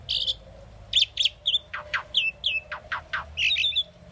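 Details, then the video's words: A tame pet Asian starling sings a quick, jumbled medley of chirps, sharp falling whistles and buzzy slurred notes, about three per second, over a faint steady hum. "asian starling singing video - starling bird training song"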